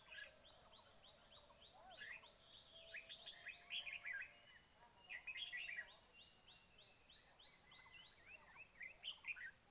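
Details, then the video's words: Red-whiskered bulbul at a trapping site: bursts of bright, quick whistled chirps in clusters about two seconds apart, over a chorus of thin high twittering from other birds. "Bẫy chim chào mào"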